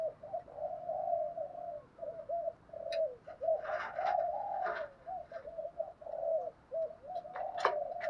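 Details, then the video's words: Spotted dove coos in the thúc gù style, meant to prompt a caged decoy bird to call: a dense, continuous run of low, hollow coo notes at moderate volume, with scattered clicks and knocks in the background. "Tiếng chim cu gáy bài bản thúc gù bài bản kích thích bổi nghe gáy liền"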